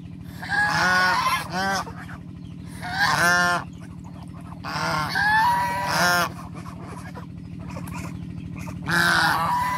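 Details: Ducks on the water give loud, nasal, harmonic-rich quacks in single and paired bursts every few seconds, over a constant low droning hum.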